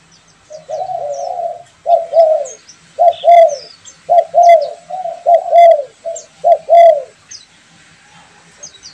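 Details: Spotted dove, a pet and a wild bird calling back and forth, giving loud repeated hoarse coos, each phrase a quick double or triple note, about fifty-two per minute, with faint high chirps of other birds behind.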